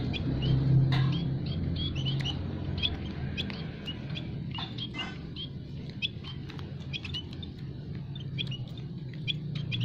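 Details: Munias, including the kinds called emprit kaji, emprit peking and emprit jawa, calling in an aviary as a trapping lure: many short, high chirps and twitters scattered rapidly and continuously over a steady low rumble of background noise.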